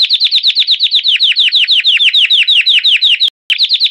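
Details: Belgian canary in campainha song, a stretched, progressive performance: steady, ringing, downslurred whistled notes repeated about three per second, with one brief break before the series resumes unchanged.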